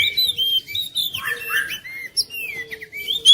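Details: Oriental magpie-robin, called kacer, in a brief stretch of song meant to stir a lazy kacer to sing: continuous jumbled whistles, downslurred notes and quick twittering, with a faint sustained low tone behind.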